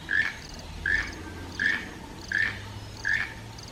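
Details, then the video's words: A toucan gives short, creaky, croaking notes, five in a row, about one every three-quarters of a second, steady in pitch, over a soft background hiss. "The Enchanting Sounds of Toucans in the Wild"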